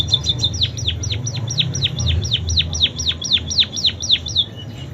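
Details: Munia singing imitated canary phrases: a brief high trill, then an even series of crisp descending whistles at about four per second, ending abruptly.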